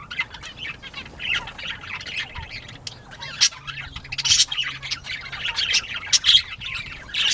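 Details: Northern bobwhite quail playing, 19 April 2017, 10:13 AM; a continuous busy chatter of harsh high squawks and clipped chirps, building louder in the second half.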